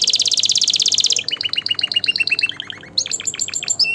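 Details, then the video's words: Canary song played to stimulate males and females for mating and to tutor young birds: a fast, buzzy high trill for about a second, then a run of rapid descending slurred notes, ending in sharp high chirps. "تغريد طائر الكناري"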